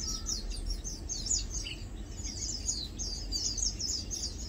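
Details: Lowland White-eyes (Zosterops meyeni), known as Matang Dulong, feeding and preening; sweet high chips and short trills from several birds with a brief lower whistle, over a steady low rumble.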